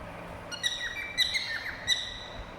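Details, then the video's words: Cockatiels whistling: three bursts of short, bright, chirpy whistled notes with rich overtones, spaced roughly half a second to a second apart, over a faint low background hum. "Cocktail birds whistling sound"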